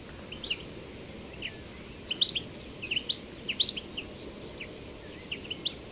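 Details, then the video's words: Wild European goldfinch in betbeta song: clear, liquid high chirps and twitters in rhythmic clusters, some rising, over a quiet hissing background. "تغريد , طائر الحسون بتبته , الخلوي طائر الحسون في الطبيعة"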